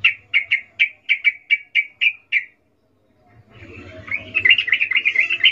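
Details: Breeding female sooty-headed bulbul calling the male in ngecuplik style: about nine separate bright chip notes, evenly spaced, then a brief silence. A denser, fluttering chatter follows over a low background hum.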